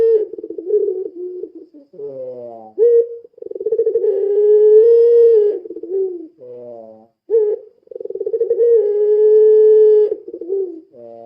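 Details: Puter pelung lure calling: a pulsing, throbbing coo phrase, a falling sweep, a short rising note, then a long mellow coo with a slight rise. The pattern repeats twice in close succession with no other sounds.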